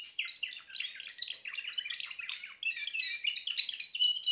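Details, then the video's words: Timbrado canary song of quick repeated metallic notes, slightly slowing after a short pause, then resuming in a tight rolling trill. "meilleur chant canari l chant canari timbrado"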